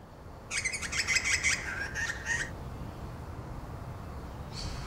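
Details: A wild Sulphur-crested Cockatoo in Australia gives a harsh, grating screech lasting about two seconds, then a faint brief rasp near the end over low background noise.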